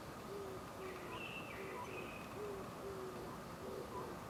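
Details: Oriental scops owl hooting from a tree branch at the Suchon-ri tomb group, Gongju, Republic of Korea, on the morning of 24 April 2025; short low hoots repeat about every half second over steady background hiss, with faint higher whistled notes.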